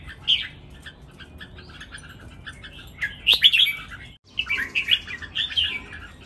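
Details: Red-whiskered bulbul song from three competing birds in a counted-phrase master style. Scattered soft notes lead to a loud rich warble at three seconds. After a brief gap comes a run of bouncy chirped phrases.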